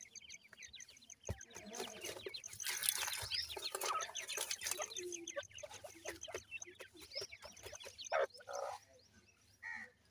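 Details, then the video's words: Francolin (teetar) chicks in a dense run of short, sharp descending peeps, with a faint high pulsing tone, a few loud taps and a low background hum. "irani teetar chicks ki voice"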